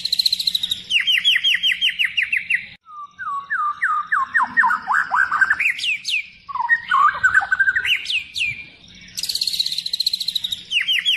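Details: White-rumped shama singing gacor with full isian as a lure: fast trills, a long series of repeated up-slurred whistles stepping lower, sharp rising squeaks and varied phrases, then renewed buzzy trilling, with a faint low hum.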